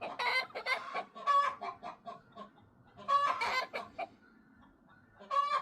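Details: Chattering backyard flock of chickens, with bantams and silkies, producing loud bursts of cackling and clucking, some notes held as short nasal tones, then a quieter stretch before another squawk.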